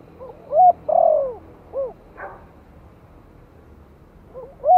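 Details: Spotted dove giving a soft Thổ-style lure call for new wild-caught birds. A complete phrase of lead note, hooked coo, long descending coo and short arched note, a brief scratchy noise, then the start of the next phrase.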